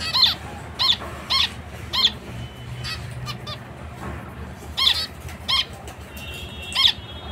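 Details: Zebra finch giving loud, clipped nasal beeps, repeated in a loose rhythm roughly every half second, a short pause midway, faint hum underneath.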